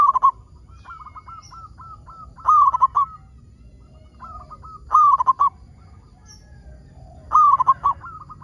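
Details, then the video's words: Zebra dove of a local strain singing briskly to prompt others of its kind to sing: soft, rounded cooing bursts followed by trailing strings of short, even coos, the pattern returning roughly every two and a half seconds. "PERKUTUT LOKAL GACOR SUARA PALING AMPUH UNTUK PANCINGAN BURUNG PERKUTUT AGAR BUNYI"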